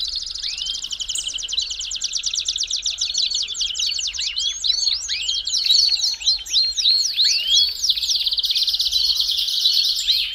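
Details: Belgian canary song played to warm up and stimulate a canary: a long, rapid, high stream of rolling trills and chattering notes interspersed with sweeping upslurred and downslurred whistles, continuous and fast-paced throughout.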